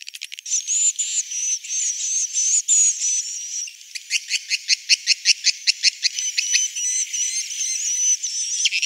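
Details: Swiftlet roosting call for a three-floor swiftlet house: high, buzzy twittering that breaks into a fast run of evenly spaced sharp clicks, then returns to wavering chirps.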